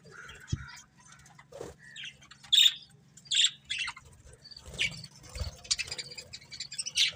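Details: Budgerigar breeding pair giving scattered chirps and short squawky notes, sparse and uneven at first, then busier chatter toward the end, with a steady low background hum.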